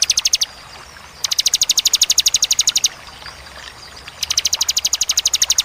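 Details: Bar-winged prinia delivering crisp 'tembakan' bursts: fast runs of high, evenly spaced sharp notes lasting a second or more, separated by brief silent pauses, over faint background hiss.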